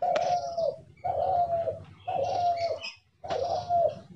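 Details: Caged decoy spotted dove in a trap cage giving a steady series of four long, mellow coos, each just under a second, with short gaps between them and light background noise.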